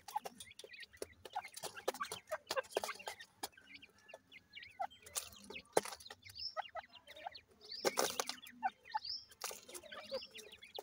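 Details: Young irani teetar francolin chicks kept in captivity: thin, high, upward-sliding peeps scattered through the clip, over frequent sharp clicks and tapping like pecking at food or the floor.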